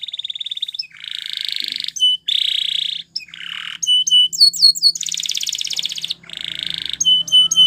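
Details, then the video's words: Canary training song built from alternating buzzy rolling trills and clusters of clear high piping notes, varied and continuous. "Unexpectedly, The Sound Of This Canary Attracted Many Canaries To Song"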